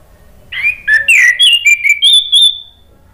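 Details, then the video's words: Male orange-headed thrush, a cage bird, replying spontaneously in a lure or therapy song: about eight varied whistled notes in a fast two-second phrase, some swooping, others steady and clear, finishing on a long high whistle. "ANIS MERAH JANTAN SPONTAN NYAUT ¦ PANCINGAN AM ¦ TERAPI MACET"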